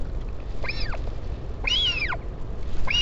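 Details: Northern royal albatross at the Taiaroa Head colony near Dunedin, New Zealand, on 16 July 2019 during a parent visit, giving arched, whining calls that rise then fall, about one per second, over a steady low rumble of wind.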